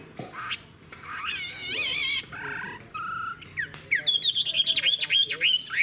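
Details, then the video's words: Chinese hwamei, an older wild-caught bird with a fig-leaf-shaped tail, singing strongly: a varied run of loud whistled and warbled phrases, some slurred upward, ending in a rapid series of bright, rippling notes with faint background murmur. "Họa mi già rừng hót hay"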